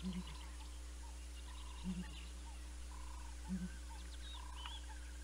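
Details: Pair of Southern ground hornbills at Naledi Cat-EYE on a live camera, 19 December 2021, giving deep low booming notes in doubled pulses about every 1.7 seconds, with faint chirping of other birds and a steady hum behind.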